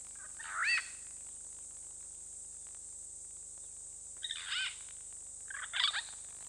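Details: Purple Rollers, a pair, at a waterhole camera in the Khwai Private Reserve, Okavango Delta, Botswana: three separate harsh, grating call bursts spaced a few seconds apart against a constant high-pitched electronic hiss.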